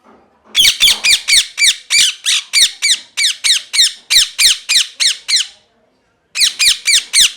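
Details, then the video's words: A parrot gives a fast series of harsh, rasping screeches, about three to four per second, breaks off for a second, then resumes with another rapid burst of four loud squawks. "Parrot Chirping Sounds | Natural Parrot Sounds | Parrot Calling Sounds"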